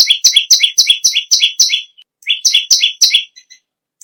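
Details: Energetic song of a bar-winged prinia, locally perenjak bawah: quick strings of high, emphatic chirps broken by a short pause, with faint soft notes trailing after.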